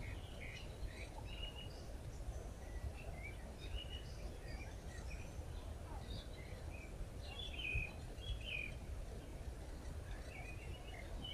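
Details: A red-backed shrike feeding its chicks: short, high chirps scattered through the clip, some thin and squeaky, over a steady low rumble of wind or distant noise.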